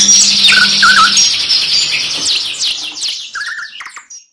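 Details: Canary song from a two-in-one training mix: a rapid high trill with short lower whistled phrases, fading toward the end before a brief silence.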